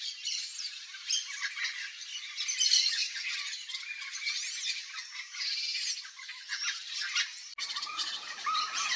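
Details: Wild yellow-faced parrots (Alipiopsitta xanthops) in Brazilian Cerrado give dense, harsh squawks and scratchy chatter, overlapping almost without pause, with some higher whistled notes; an abrupt break comes near the end.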